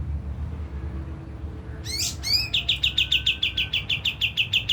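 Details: Kapas tembak lure song for provoking birds to sing: a quiet start, then two rising sweeping notes followed by a fast steady string of bright repeated chirps.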